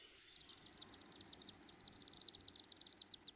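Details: Chimney Swifts in flight over downtown Osakis, Minnesota, on June 12 give a rapid, high, dry twittering chatter of sharp chips tumbling together without pause, with faint low background hum.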